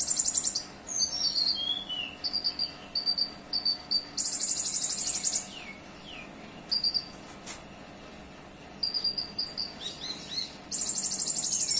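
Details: Olive-backed sunbird singing a song loaded with small minivet-style phrases: bursts of thin, very high buzzy notes alternate with rapid repeated pips and short descending slurred whistles, separated by brief pauses.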